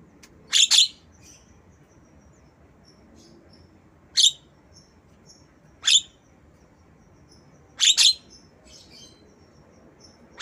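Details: Lovebird imitation by a black-winged myna, made for training mynas and lovebirds; sharp rasping shrieks, some single and some doubled, recur every two seconds or so, with faint thin whistles between.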